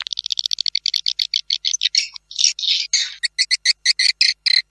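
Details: Swiftlet calling sound used to attract swiftlets to nest houses: fast pulsed trill of clipped notes, slowing into harsh buzzy rasps, then evenly spaced double-toned chirps.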